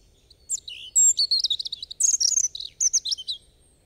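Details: European robin singing a varied, rapid phrase of high thin whistles, trills and sweeping notes, rich and liquid, lasting about three seconds, with no other sounds apparent.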